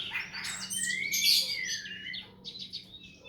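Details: Songbird tutor recording used to train cage birds: varied high chirps and a bright sweeping whistle that rises and then falls, followed by softer twittering notes over a faint steady hum.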